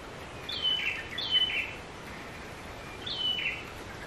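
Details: Sooty-headed bulbul calling increasingly agitatedly as the observer nears its suspected nest: three short, high, chirpy phrases sliding downward, the first two close together, over a steady outdoor hiss.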